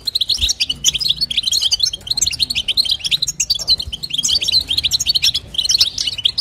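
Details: Female European goldfinch's batbata and sastasa calling, meant to stimulate the male: a quick, cheerful jumble of high chirps and short metallic trills in close succession.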